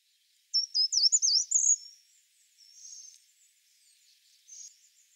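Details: Short-toed treecreeper (Certhia brachydactyla) song: one brisk, high, thin phrase of quick wavering notes lasting about a second, followed by faint softer calls against quiet background.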